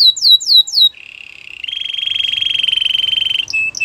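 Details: Belgian canary training song with three falling whistled notes, then a long steady rolling buzz and a short closing trill.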